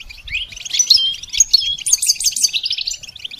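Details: Short goldfinch song phrase used for songbird training, with rising chirps leading into a quick tumbling series of high tinkling and buzzy notes.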